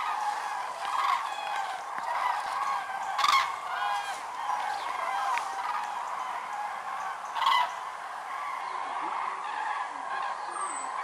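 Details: Huge migratory gathering of more than 206,000 common cranes at Lac du Der-Chantecoq, Champagne-Ardenne, November 2014; steady din of many calling birds, with a few loud trumpeted bursts standing out, around 3 and 7.5 seconds.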